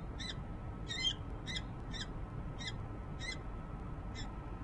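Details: Female peregrine falcon at a building nest ledge in Harrisburg, Pennsylvania, in January 2013, heard on a nest cam. There is a series of seven raspy, clipped calls in quick succession, with a low hum and background rumble.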